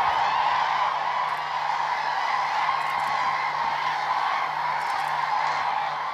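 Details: Common cranes dancing at Hornborgasjön in Västergötland, Sweden, during April 2009. A large flock's overlapping honks merge into a steady, even roar of trumpeting that holds at the same level throughout.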